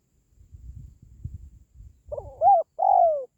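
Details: Spotted dove call used to encourage pet doves or draw in wild doves during trapping: after low rumbling noise, a stuttered note, a level hoot and a long falling coo close the clip.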